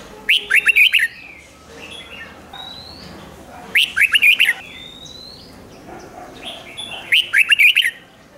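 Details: Caged Red-whiskered Bulbul song, played to excite other caged birds: bright warbled phrases of five or six quick notes recurring about every three seconds, with quieter whistled notes from other birds between phrases.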